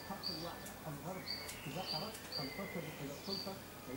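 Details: Common starling (Sturnus vulgaris), recorded 20 May 2016, gives short, high, thin whistles about once a second with a few sharp clicks, over a low murmur of background voices.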